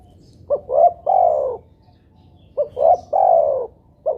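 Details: Spotted dove coos used to make doves sing: two and a half phrases roughly every two and a half seconds. Each phrase is a brief note, then a rising coo, then a longer downslurred coo, all low and mellow.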